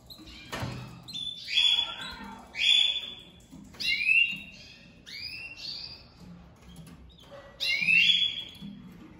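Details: Domestic canary pair on their first day together for breeding, the female crouching to the male: rolling trills and upward-slurred whistles in separated bursts, with a knock near the start.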